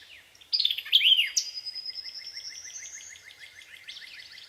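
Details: A bird chirping: a quick run of descending whistled notes, then a long thin high whistle sliding slightly, over a steady fast series of soft clicking ticks about two per second, ending with a rapid trill.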